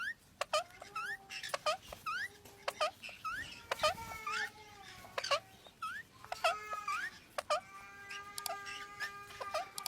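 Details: Pet rose-ringed parakeet giving repeated short upslurred squeaks and sharp clicks, about one every second, with sustained whistled tones mixed in.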